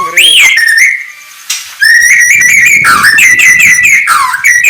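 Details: Morning song of a white-rumped shama (murai batu): pure whistles, an upswept opening note, a held tone, then a series of short repeated whistled slurs.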